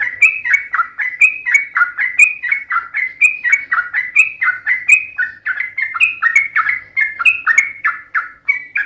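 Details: Trucukan, the sooty-headed bulbul, singing a long ropel phrase meant to provoke rivals into replying: a steady run of bright, bubbly whistled notes rising and dipping, repeated without pause over nine seconds.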